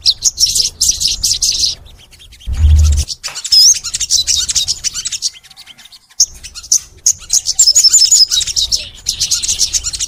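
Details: Sogon, the crimson sunbird, in long, active song. Dense, hissy high twittering runs almost without a break, with one brief low thump and a short pause midway.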